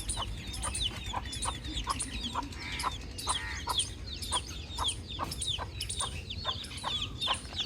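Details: Baby chicken chick chirping outdoors amid peaceful nature ambience: rapid, high, thin peeps, many sharply falling, repeated several times a second over a steady low background rumble.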